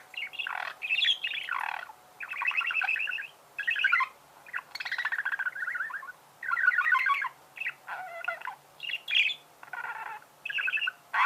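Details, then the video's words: Budgerigars sing in rhythmic bursts of gravelly, ratcheting chatter, each about a second long with short pauses between, mixed with squeaky upward notes and a steady low hum. "пение волнистых попугаев,скрип"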